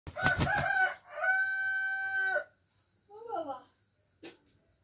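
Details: Rooster crowing in the morning: a loud, harsh opening burst followed by a long sustained crow of about a second, then a short wavering cluck-like call and a brief sharp note.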